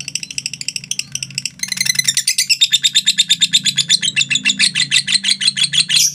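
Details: Lovebird starts with scattered chirps, then breaks into a long ngekek trill of fast, rhythmic, piercing high notes; low room hum underneath. Meant for training other lovebirds to sing long.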